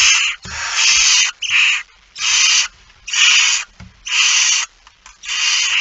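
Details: Young barn owls at a feeding in It Fryske Gea, 13 September 2019, 06:57; long rasping hissed screeches follow one another closely, about one a second, with faint low knocks beneath.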